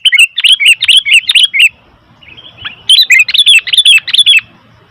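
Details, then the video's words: Sooty-headed bulbul chattering noisily: two long bursts of fast, bright chirps and warbled twists, with a quieter stretch of about a second between them. "Suara Burung Kutilang ribut"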